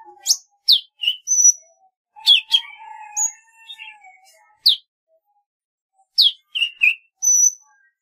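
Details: Golden-fronted leafbird in varied song, mixing sharp descending chirps, high thin whistles and a lower twittering passage, delivered in quick clusters with short pauses.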